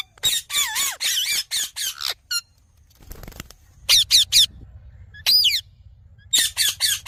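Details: Green talking parrot calling in loud harsh squawks, with one low wavering whistled note, a short pause, then further clusters of shrill squawks.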